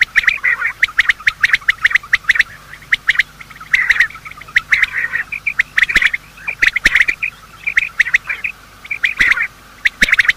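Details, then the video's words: Quail morning sounds from male and female birds, used to attract quail for hunting: lively, overlapping runs of sharp whistles and short chirps in quick groups, calling without pause. "Quail calling sound: master the Art of Quail tripping | Bater Awaz Subha"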